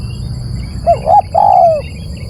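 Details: Single three-part cooing phrase used for luring birds: two short mellow coos and a longer, gradually dropping final coo, over a faint continuous whine.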